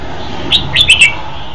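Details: Red-whiskered bulbul, 2015, giving a brief song phrase of four clear slurred whistles in under a second, each dipping in pitch, over faint background hum.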